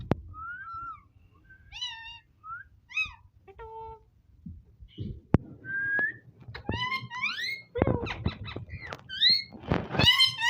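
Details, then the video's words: Talking ringneck parrot kept as a pet: scattered short whistles and falling notes, then quicker runs of rising voice-like syllables that grow denser and louder toward the end. "Talking parrot so cute"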